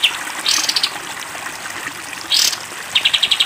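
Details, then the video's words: Sooty-headed bulbul in a long 'tembak panjang' masteran recording for training cage birds: two bright rising notes, then a rapid high pulsed trill starting near the end, with trickling water behind. "masteran kapas tembak panjang"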